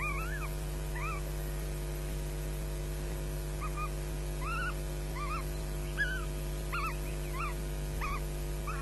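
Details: At Loch Garten on a May 2012 morning, osprey chicks fight and shriek for food; sharp, wavering squeals repeated roughly every half second to a second, with a constant low hum beneath.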